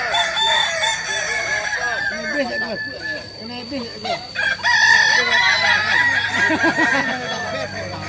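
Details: Balenggek crowing rooster in training at Ampang Kualo, Solok. Choppy overlapping calls and voices lead into a loud, drawn-out harmonic crow with stepped syllables from midway on, among other crowing birds.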